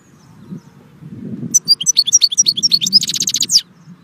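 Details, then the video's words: Goldfinch delivering a lively high-pitched twittering phrase of quick varied chirps and a dense trill before a final buzzy note, over low rumbling background noise. "saka kuşu (Arnavut Şevket)"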